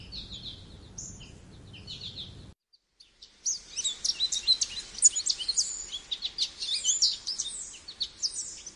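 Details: American goldfinch with a few high twitters, a short silent gap, then a long, lively run of rapid high chirps, trills and slurred notes.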